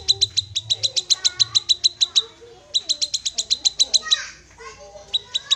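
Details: Black-capped babbler with two long runs of rapid, piercing, evenly spaced notes, broken by a short gap and a brief hissy rustle, then a few more sharp notes near the end.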